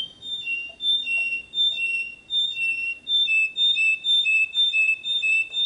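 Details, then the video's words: Canary song used to teach young birds: a series of rich, mellow whistled notes alternating between two pitches, each held briefly, about two per second, steady and melodious. "Chant Canari Super Pour l'écolage des jeunes sans fautes"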